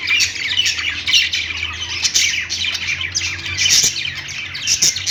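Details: Pet-store parakeets sing together on a perch: a thick wash of chirps, clicks and squeaky warbles, sharper accents scattered throughout, with a low-pitched hum running constantly.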